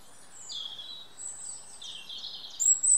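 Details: European robin singing in woodland, a thin, high, wavering warble of sliding phrases ending in a couple of brighter, sharper notes over soft background hiss.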